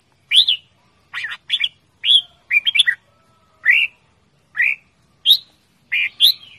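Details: Pet red-whiskered bulbul calling loudly and playfully, giving well-spaced bright upslurred chirps and short whistled phrases, roughly one every half second to second, in an otherwise quiet setting.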